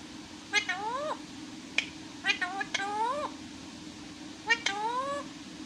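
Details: Talking parrot giving four harmonic, whiny, meow-like sounds. Each begins with a click, swells upward and drops off at the end. Two of them come close together mid-clip, with a soft hum throughout.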